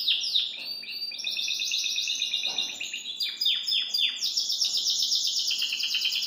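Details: A caged Belgian canary (Serinus canaria domestica), hopping about its cage, sings a bright, continuous run of rapid trills and chirps, with quick descending notes mixed into the high, busy phrases.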